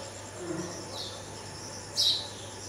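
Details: Red-vented bulbul fledgling, rescued from a cat and moved to a first floor where its parents visited to feed it, gives two brief, high, scratchy chirps, one faint then one sharper a second later, over a steady low hum.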